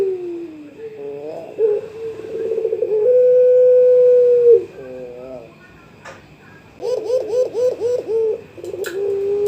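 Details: Young puter pelung (Barbary dove) calling a rival: short cooing phrases, then a long steady drawn-out coo, a faint click, and a run of quick rolling, bouncing coos before a final level note.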